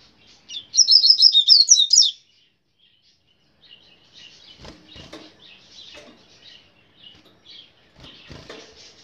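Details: Double-collared seedeater, brown-plumaged, singing in grego style: a quick burst of high, rapid twittering notes lasting about a second and a half, followed by faint scattered chirps and soft fluttering sounds.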